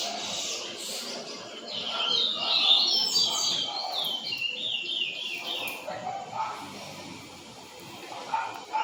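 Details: Caged double-collared seedeater (coleiro) in Brazil, of the papa-cruz song style, singing a fast run of bright, high, chirping whistled notes that drop in steps, then fade, with a low murmur of noise underneath.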